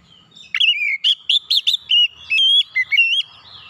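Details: Oriental magpie-robin lure song to get other birds singing: a lively burst of sharp chirps and buzzy notes, then longer sliding whistles, all rapid and bright.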